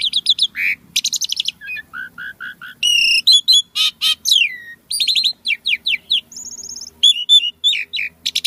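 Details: Asian pied starling in gacor song full of isian: strings of short repeated whistled notes, harsh buzzy rattles and sharp chips in quick succession, about four notes a second, over a faint hum.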